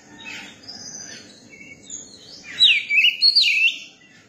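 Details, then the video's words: Young Oriental magpie-robin singing: faint scratchy notes at first, then a loud run of sweeping, warbled whistles that rise and fall in quick succession near the end. "tiếng chim chòe than bổi hót"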